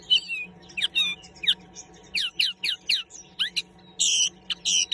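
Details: Common linnet singing: a fast, varied twittering of sharp chirps, trills and slurred notes in quick bursts, with a faint steady low hum underneath.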